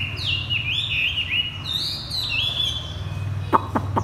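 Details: A caged Chinese hwamei placed on the ground sings loud, sliding whistled phrases that swoop up and down, followed by a few sharp clicks, over a steady low hum.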